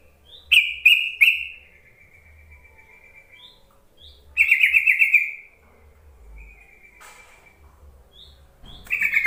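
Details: Yellow-vented bulbul calling to provoke quiet bulbuls to answer: bubbly chattering phrases with short gaps, then a rapid rolling burst around four seconds and a fresh chatter at the end.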